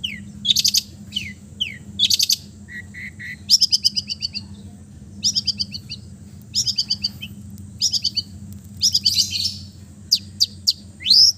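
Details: Relaxed mimicry song of an East Java long-tailed shrike, used as therapy for mute birds: repeated buzzy trill bursts every second or so, a few level whistles and falling slurs, low hum behind.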